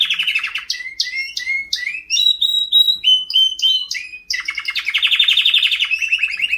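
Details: White canary singing: sharp upward chips, then a series of clear whistled notes stepping in pitch, followed by a fast buzzy high trill that runs to the end, loud and close against a silent background.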